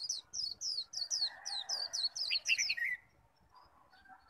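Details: Caged Japanese white-eye in a fierce contest of líu-style song meant to call and provoke a rival: a rapid run of about a dozen short, high, down-slurred warbled notes over three seconds, then quiet with faint lower chirps.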